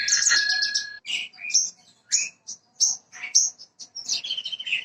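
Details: Branjangan parva bushlark song used as a lure to start other birds singing: it opens with a long, dense trill over a steady whistle, then gives quick separated chirps and slurred whistles.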